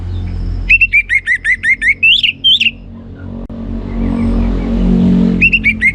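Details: Captive orange-headed thrush giving its ngeplong song: a run of fast, high, slurred whistled notes ending in rising flourishes, a quiet gap with low rumbling noise, then the phrase beginning again.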